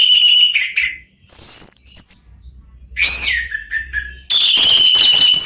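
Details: Orange-headed thrush among three caged birds answering one another; loud mixed whistles, a high descending slur, scratchy chatter, then a sustained run of dense warbling.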